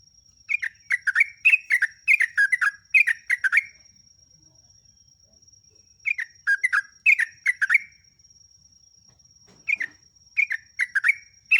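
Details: Lively Sooty-headed bulbul song used as a lure for caged birds: three phrases of rapid, bright, bouncing chirps, each lasting one to three seconds, with pauses between. A constant thin whine sounds behind.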